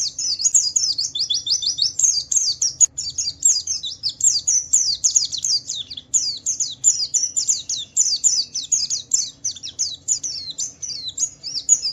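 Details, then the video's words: Javan white-eye singing gacor ngalas-style 'wiklus wiksar' phrases to draw other white-eyes into song: loud, very high, rapid downslurred chirps in bursts of several notes, repeated almost without pause for twelve seconds over a faint hum. "Suara burung Pleci Wiklus Wiksar memancing Pleci lain cepat cepat bunyi gacor"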